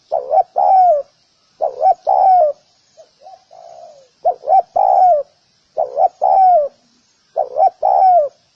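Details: Spotted dove calling in low, mellow coos: each phrase a quick double note followed by a longer falling croon, repeated about every one and a half seconds, with a faint steady high whine behind.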